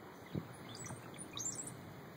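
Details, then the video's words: Brown-headed Cowbirds near Glass Beach, Fort Bragg, California: a soft gurgle followed by very high, thin whistles sliding steeply upward, over a low rumble and a single thump. "Brown-headed Cowbird Song"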